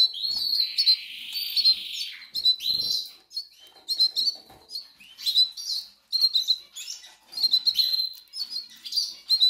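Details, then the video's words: Goldfinch nestlings from the Canaries begging, hungry: bursts of high, wavering chirps and squeaky notes separated by brief gaps, with rustling and wing flutter between bursts. "LOS PICHONES TIENEN HAMBRE"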